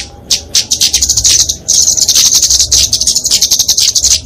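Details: Flowerpecker (kemade) in fighting song for training and luring songbirds: a short ticking start, then a sustained run of rapid, high, sibilant twittering notes.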